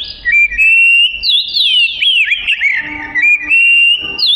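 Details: Oriental magpie-robin (kacer) in vigorous song for use as tutor material: steady bright whistles with a rapid, twisting burst of notes in the middle, then level whistled phrases again.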